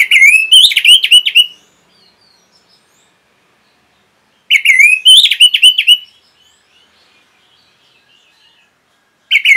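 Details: Training song of the orange-headed thrush for caged birds. Rich whistled phrases with rapid high twitters come in bursts about four seconds apart, each lasting around one and a half seconds, with silence between.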